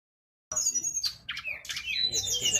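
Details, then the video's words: Mangrove blue flycatcher (tledekan bakau) singing vigorously as a tutor recording: after half a second of silence, high thin whistles, then buzzy rising notes and a long bright whistle near the end. "MASTERAN BURUNG TLEDEKAN BAKAU GACOR"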